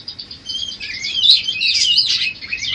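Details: Pet budgerigar singing a varied song meant for teaching other cage birds; a short, dense burst of scratchy, rising and falling warbled notes with bright whistled sweeps, steady and unbroken throughout.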